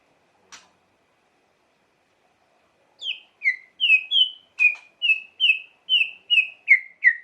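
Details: White-rumped shama song meant to stir emotion: after a single sharp click, a clear series of about twelve descending whistled notes, evenly spaced roughly every third of a second.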